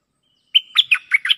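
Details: Cream-vented bulbul singing a lure phrase against a resident bird: a brief thin lead-in, a loud whistled note, then four rapid chuckling chirps with nothing else heard.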